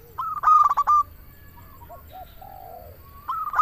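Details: Local zebra dove (perkutut) in full song, played to lure doves or prompt quiet birds to sing: a burst of rapid stuttering notes, then a fainter soft trill, closing with more loud cooing notes.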